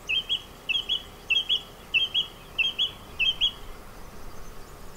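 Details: Song thrush male in song in the Ribera Baixa orange groves, Sueca, Valencia, Spain. One short whistled phrase is repeated six times in quick succession, about every two-thirds of a second, then falls silent. Faint hiss in the background.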